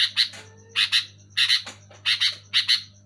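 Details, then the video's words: Loud sooty-headed bulbul chattering: harsh, buzzy double notes repeated roughly every half second, rough and broad in tone, over a steady low electrical hum. "Suara burung kutilang gacor keras jelas"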